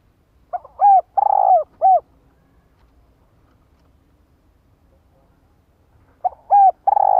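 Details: ['Female spotted dove provoking a male with her call: a soft pickup note, then short coo, long quavering coo and short coo, the pattern returning after about four silent seconds.']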